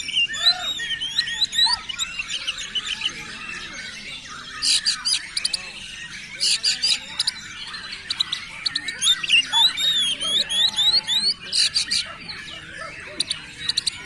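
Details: Oriental magpie-robin singing very actively: dense, varied high whistled phrases with rising and falling slurs, mixed with harsh squawks and rapid buzzy bursts in clusters, delivered almost nonstop.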